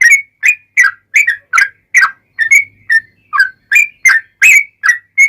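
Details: Rolling 'ropel' song of a yellow-vented bulbul in full voice, intended to prompt other bulbuls to answer: brisk bubbly notes, mostly rising whistles with a few lower slurs, delivered almost continuously, with a faint low hum.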